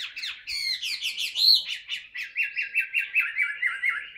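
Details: Tame caged Chinese hwamei in voice practice: a run of rich, rising and falling whistled notes, then a fast, even string of about a dozen repeated slurred whistles, each sweeping down.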